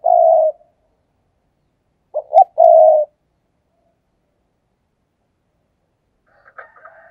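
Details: Fast 'thúc gù' coos of a spotted dove kept as a decoy to lure others. A long coo, a pause, then a short double note and another sustained coo, with faint, higher-pitched cooing near the end.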